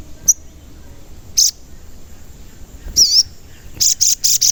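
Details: Crimson sunbird, a lively singing bird whose cheeping 'cuit cuit' calls serve to lure and excite other birds; short, very high, thin chirps, a wavering note, then four quick bright notes in a row.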